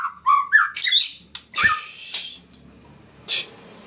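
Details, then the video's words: White-rumped shama, called murai hutan, sings a varied phrase of clear whistled notes that rise and fall between mid and high pitch, followed by harsh, noisy bursts and a short scratchy note near the end. "MURAI HUTAN"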